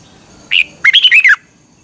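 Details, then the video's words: Thai Red-whiskered bulbul song, used for morning training of caged birds. One short clear note, a brief pause, then a fast bubbly run of four warbled notes that climbs and then falls away. "นกกรงหัวจุก, 30 นาทีทุกเช้า เพื่อให้นกเรียนรู้ที่จะพูดได้อย่างรวดเร็วและหนักแน่น"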